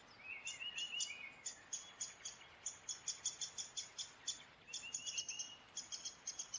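Downy woodpecker: a quick run of sharp, high chips repeated several times a second, with a short lower rattle that slows and drops in pitch.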